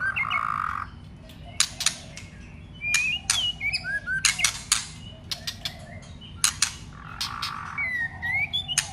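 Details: White-rumped shama undergoing contest song training: scattered bright upslurred whistles between frequent sharp clicks and snapping sounds, with a low buzzy rasp at the start and near the end.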